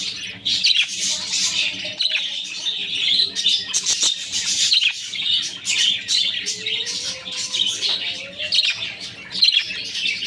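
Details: Budgerigars kept with their chicks chirp and chatter in a steady high twittering stream, with brief sharp squeaks and a couple of thin gliding whistles.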